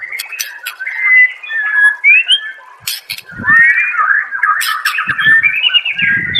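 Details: Murai batu, or white-rumped shama, masteran song: clear sliding whistles and warbled phrases with sharp high clicks, and low thumping knocks beneath the final seconds.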